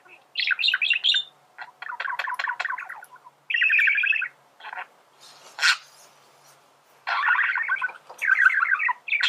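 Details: Male budgerigar in song, recorded as a singing lesson for birds: bursts of buzzy, ladder-like chatter and a sustained rasping phrase, separated by brief quiet gaps with soft clicks.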